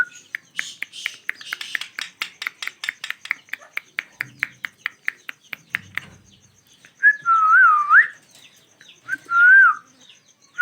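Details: Natural sounds from a pair of ringneck parakeets: a long run of evenly spaced sharp clicks, then two loud, pure whistles that dip and rise in a wavy line.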